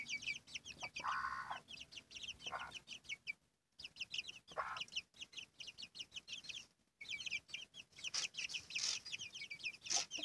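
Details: Domestic hen with her chicks: high, quick chick peeps in dense runs, interrupted by two brief silences, with louder low hen clucks early in the recording.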